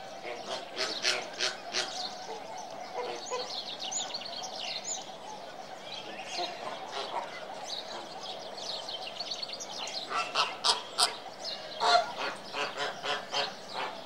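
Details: Flamingo flock with dense, overlapping chatter: sharp nasal honks and short clicking calls over a steady murmur of many birds, growing louder and more rhythmic toward the end.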